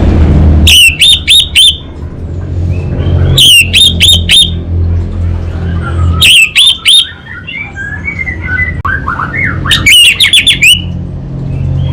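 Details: Orange-headed thrush in 'kabel konslet' song, given in four short bursts of rapid, rattling clicks joined by a high buzzy tone, spaced about three seconds apart, with soft chirps between them and a low background hum.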